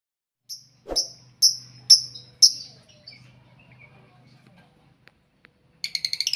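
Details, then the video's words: Several lovebirds kept together in one cage, noisy: five shrill, sharp chirps about half a second apart, a low hum and soft faint chatter, then a rapid burst of harsh repeated squeaks. "Burung Lovebird Di Buat Satu Kandang Bikin Ribut Sampek Gacor Kali"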